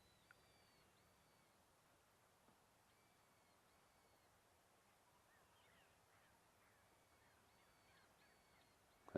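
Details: Several birds give faint, repeated harsh chattering alarm calls, some in short bursts, over a low hum, near lions scent-marking on a road at sunset, Rietspruit Game Reserve, Lowveld, South Africa, 18 June 2024.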